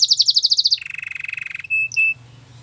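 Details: A canary sings a fast, even series of bright chipping notes, then a lower purring roll, ending with two short pure whistles.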